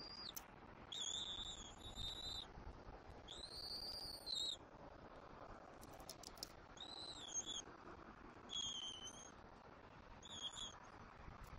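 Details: Bald eagle eaglet at a Southwest Florida nest, 5 February 2024, during a fish feeding by its parent: thin, high whistled peeps, some flat and some arched, repeated irregularly over a steady background hiss.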